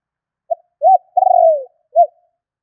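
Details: A single spotted dove gọi thúc phrase, the style used to lure wild birds: a clipped opening note, a rounded rising-falling coo, a drawn-out trembling coo that drops in pitch, and a short final coo. No other sounds.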